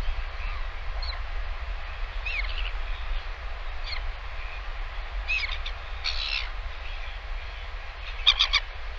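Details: Northern royal albatross chick being fed lunch by a returning parent, filmed by a live nest camera on 20 August 2023; scattered short high chirps and squeaks, a louder clustered burst near the end, over constant low wind rumble.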